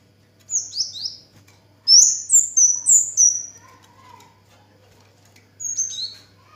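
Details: Orange-headed thrush, locally kemade or cigen, singing steadily: clear high whistled phrases that slide downward, delivered in short bursts of three to five notes separated by pauses, with a faint lower warble between bursts.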